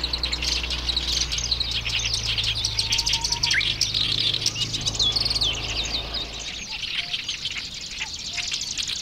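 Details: Song of a black-browed reed warbler: hurried, jumbled high twitters and buzzy rattles running on without pause, a low hum in the background fading after six seconds, short faint whistles also heard.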